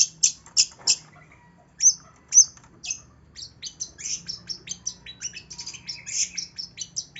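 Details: Long-tailed shrike singing, meant as a lure to stir a reluctant bird into song: a few loud sharp chirps, then a dense, jumbled chatter of high twittering notes that runs to the end, with a faint low hum.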